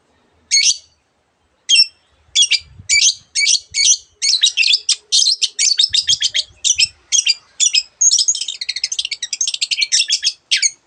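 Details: A Long-tailed shrike, known as cendet, sings a mimicking song: a few spaced harsh notes speed up into a long, dense chattering series, ending in a rapid buzzy trill, with faint low thumps.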